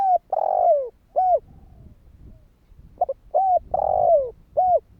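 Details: Spotted dove's kích bổi calling, aimed at making other doves respond: two phrases, each a coo, a long drawn descending note and a closing coo, the second led by a quick pip, over a soft low hum.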